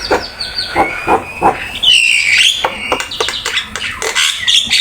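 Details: Black-winged myna full-content training song: a series of short spaced notes, then a long bright whistled phrase with rising and falling slurs, followed by sharp chattering clicks.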